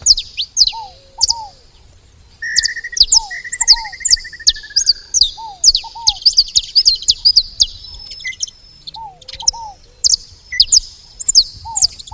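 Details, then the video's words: Saffron finches make noise at a feeder with thick runs of high, downslurred chirps; an even trill sounds early on, and lower paired falling whistles and faint cooing recur. "Canário da terra fazendo barulho na seva"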